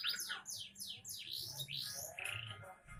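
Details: Song of a young canary: a rapid series of loud, sweeping whistled notes that slide downward one after another, then a short buzzy trill.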